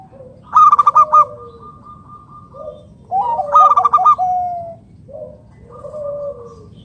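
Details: Wild local zebra dove calling so other doves start to sing; loud bursts of rapid staccato notes followed by soft falling coos, the pattern repeated three times.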